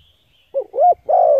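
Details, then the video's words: Spotted dove cooing, played to lure and stimulate decoy birds. Three mellow hooting notes come in quick succession: a short one, a rising-falling one, and a long, slowly falling final coo, with silence otherwise. "Tiếng cu gáy hấp dẫn đủ bài thúc gù gáy gọi kích mồi"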